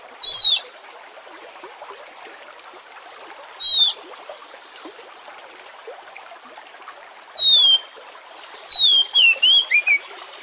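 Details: Oriental magpie-robin song meant as a lure to make other magpie-robins sing; loud, clear down-slurred whistles spaced a few seconds apart, ending in a quick run of several rising and falling notes, over steady hiss like trickling water.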